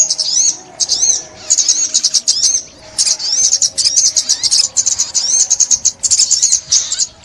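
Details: Sunbird song used for trapping in 2021: repeated phrases of quick high trills and upslurred notes, several bursts broken by short silences, delivered at a fast, jittery tempo.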